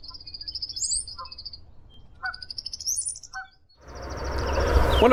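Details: Brown-headed cowbird at Somenos Marsh wetland, Vancouver Island, British Columbia, giving a male's waterfall-like run of low liquid gurgles into thin, high, slurred whistles, repeated a few times; a burst of rough rustling ends it.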